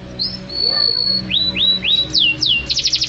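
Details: Canary singing vigorously, recorded as tutor material for songbirds: a long flat whistle, repeated upslurred notes, then descending sweeps ending in a fast rattling trill.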